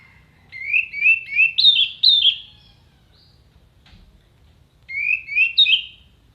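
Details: Orange-headed thrush giving sharp, crisp fill-in phrases meant for songbird contests: a chain of short rising whistles that climb in pitch, a pause, then three more rising notes.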